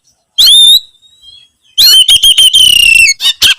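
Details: Oriental magpie-robin in lively song as it seeks a rival: a bright whistled note, a soft pause, then a long stuttering run of whistles on one pitch ending with a sharp burst.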